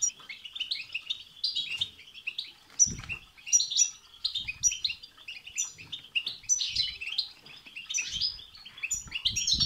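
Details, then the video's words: Rapid twittering European goldfinch song used to prompt a caged goldfinch to sing, high rippling trills and chirps in quick bursts, accompanied by occasional soft low taps. "بتبتة وستستة تخرج الحسون عن السيطره..... هيجان خرااافي تسببه هذه البتبتة نار على نار سيغرد حسونك"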